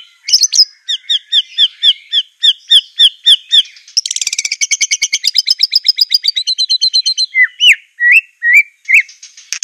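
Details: White-rumped shama master song for training birds, Aceh type: rapid series of short repeated whistled notes, then a fast buzzy trill and rising whistled phrases, clear with no background noise.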